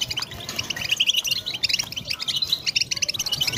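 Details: European goldfinches in group twittering used to stimulate goldfinches to sing: dense, rapid high chirps and buzzy trills overlapping without pause, several birds at once, faint low rumble beneath.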